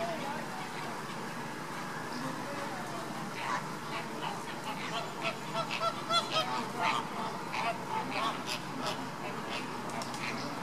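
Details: Caribbean flamingo: nasal, goose-like honks start faint, then come thick and overlapping from mid-clip. Clustered bursts, some with ringing harmonics, play over a steady murmur of background noise.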